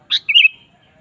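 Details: Sooty-headed bulbul lure song for a kept bird: a brief sharp note, then a fast bubbling two-part warble, clear and close.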